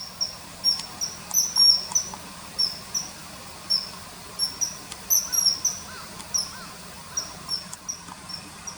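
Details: Common kingfisher calls, inserted over riverside footage from early September 2020, sound as thin high whistles in irregular runs, with a few fainter lower wavering notes from another caller midway.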